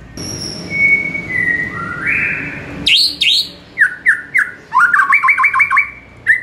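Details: White-rumped shama song used as a morning training recording for caged birds: long level whistles slide upward, then sharp downslurred notes and a fast stuttering run of repeated bright notes in a small indoor-sounding space.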